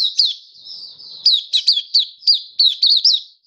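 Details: Kept Malaysian white-eye in Singapore, warm sunny weather, 20 March 2023, singing happily: a continuous high thin warble broken by quick down-slurred chirps, around ten sharp notes in under four seconds, with no other sound.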